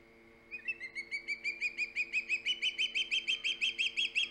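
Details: Osprey at the Hog Island nest, 3 September 2019, filmed by a live camera: after a thin whistle, a rapid run of piercing chirps starts and grows louder and slightly higher, about five notes per second; low steady hum behind.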